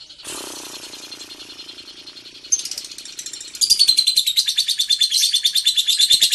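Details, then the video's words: Lovebird delivering a long ngekek trill: a hissing, buzzy stretch builds into a loud continuous high rattling trill of fast pulses over the last few seconds. "Burung love bird ngekek panjang banget 3 menit"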